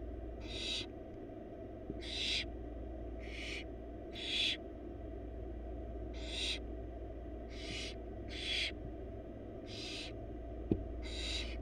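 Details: Hungry wild barn owl young, four chicks in a monitored nest box fed a huge bunny by their mother, give repeated raspy hissing calls, nine in under twelve seconds, with a sharp knock near the end and low hum throughout.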